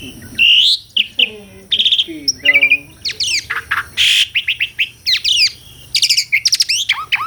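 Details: Vigorous, melodious song of an Asian pied starling: a rich medley of whistles, nasal harmonic notes, harsh broadband bursts and rapid stuttering chirps, delivered almost continuously.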